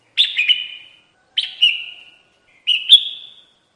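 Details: Red-whiskered bulbul lure call used for trapping: three bright whistled phrases, each starting with a sharp note and then sliding slowly down, spaced about one and a quarter seconds apart, with a clean, quiet background.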